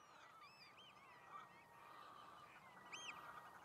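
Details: Shelduck fighting over mates in the mating season: faint rising-and-falling whistled notes come and go above a dense, noisy chorus of lower calls.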